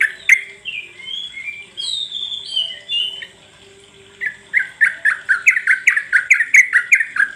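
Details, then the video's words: Lure recording of sooty-headed bulbul meant to set other birds singing: a few gliding, whistled phrases open, then a quick run of about a dozen bubbly, clipped notes repeated at a fast, uneven pace. "SUARA PANCINGAN BURUNG TRUCUK BIAR BUNYI"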